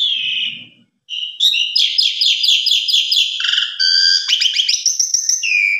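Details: After a drawn-out whistle and brief silence, an Asian pied starling launches into a fast, dense stream of rasping chatter notes, ending in mixed buzzy trills and a steady whistle.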